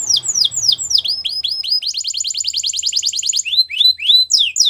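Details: Belgian canary performing a training song, with series of falling whistled sweeps, a fast even rolling trill in the middle, then rising and falling chirped notes.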